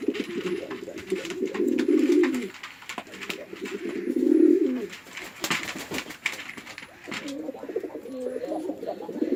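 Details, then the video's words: Male and female pigeons attacking each other at a house pigeon farm in Chittagong, Bangladesh: repeated bouts of deep, bubbling coos, each rising to a loud throaty peak, separated by scratchy, rattling noises. "Awesome Male & Female Pigeon Combo Attacks Sound"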